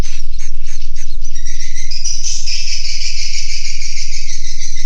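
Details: Recorded inside a swiftlet house, swiftlets give separate high chirps at first. These swell after a second and a half into a thick, buzzy, unbroken twittering chorus over a constant low pulsing hum.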